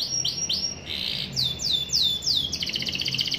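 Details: Canary singing in gacor ngerol style as a young canary replies: a thin high note, then repeated downward-slurred whistles, ending in a fast buzzy trill, over steady background hiss.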